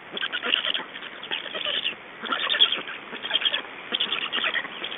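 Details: Black storks in Estonia, nest changeover and feeding on 2 June 2012, 21:54: loud, scratchy, chattering calls in two or three dense bouts, harsh and buzzy throughout.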